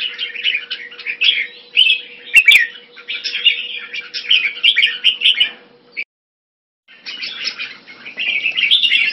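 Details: Red-whiskered bulbul (jambul) kept by a hobbyist, warbling steadily in bubbly phrases. The sound cuts out for about a second, then resumes, with a low hum in the first part.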